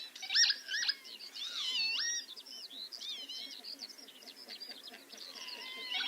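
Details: Lapwings displaying over wet grassland at Martin Mere give wheezy, slurred, swooping 'pee-wit' calls early. Continuous high, rapid twittering runs underneath, likely skylark song from birds singing overhead.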